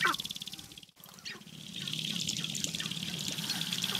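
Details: Male Sharp-tailed Grouse displaying for hens at a spring lek in the Namekagon Barrens, Wisconsin: scattered short, sharp clucking notes over a low, fast pulsing drone, with a steady high hiss behind and a brief dropout near the first second.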